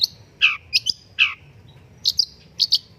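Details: Long-tailed shrike, locally pentet or cendet, in lively master song used to prompt singing. Harsh, descending scratchy notes alternate with paired high, clipped chips, each phrase separated by short pauses. Low background hum.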